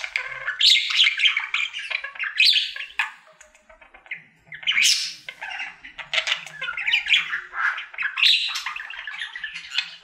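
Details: Indoor pet budgie, a male, singing as part of his daily routine: lively, varied warbling with clicks, rasps and sharp chirps, a short pause near four seconds before the chatter resumes.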